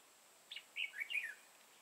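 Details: A red-whiskered bulbul with a dark bib, used as a trapping lure in Vietnam on 31 March 2018, gives one rapid phrase of sweet, slurred whistles in competitive song.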